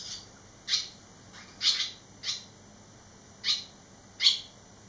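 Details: Three young barn swallows eleven days out of the nest, returning to it and calling with sharp, high, separate chirps, about five spaced at irregular intervals over a quiet background.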